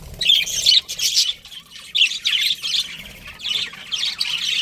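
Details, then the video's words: Pet budgerigars, a breeding pair, chirping in repeated harsh, scratchy bursts of about half a second, roughly two or three per second, with brief quiet gaps between them. "budgies chirping sounds"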